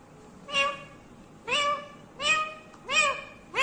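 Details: Pet talking parrot said to speak 'mummy papa', uttering five short, voice-like harmonic syllables with rising onsets, spaced roughly three-quarters of a second apart, in a quiet room.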